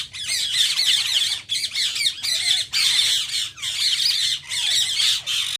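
Rose-ringed parakeets give loud, harsh, screeching squawks in near-continuous bursts of about a second, high-pitched and grating, with several birds calling over one another.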